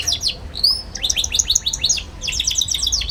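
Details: Young canary, used as a teaching lure for other young canaries, giving rapid ngeriwik chatter: a thin rising whistle, then quick repeated high chirps in tight runs without pause.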